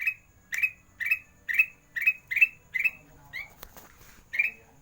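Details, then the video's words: Master song of a kutilang emas in sandang garigit style, for training lazy singers: clear buzzy chirps repeated about twice a second, then a short pause with one odd lower note and a click before the series resumes. "Masteran kutilang emas gacor (sandang garigit) cocok untuk burung malas bunyi"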